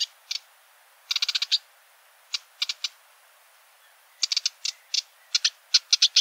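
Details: Sedge warbler song of dry, clicking notes, some in fast runs of five or six and some spaced singly, with gaps of about a second between phrases.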